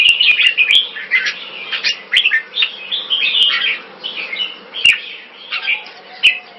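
Red-whiskered bulbuls singing in quick, overlapping bursts of bright, warbled whistles with rising and falling notes, nearly continuous throughout; a faint low hum underneath.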